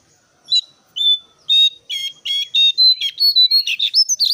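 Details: Brown-cheeked bulbul calling as a lure to set other birds singing: a loud, rapid run of harsh chattering notes over a whistled tone that climbs steadily higher, the notes quickening toward the end.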